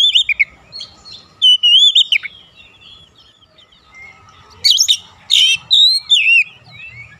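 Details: An oriental magpie-robin sings to spur other magpie-robins: wavering whistles, a quiet gap, then rasping bursts and bright slurred notes.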